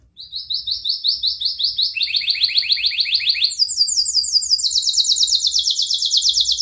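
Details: Long, energetic canary song used to prompt young and silent canaries: fast trills of short falling notes, each phrase repeated many times before stepping higher, rapid and steady throughout.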